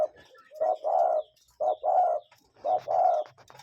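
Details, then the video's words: Natural recording of a live cuckoo calling: three clear pairs of low, hollow notes, each a quick short note then a longer sustained one, spaced about a second apart amid faint background chirps. "Relaxing Cuckoo Bird Sound in Nature"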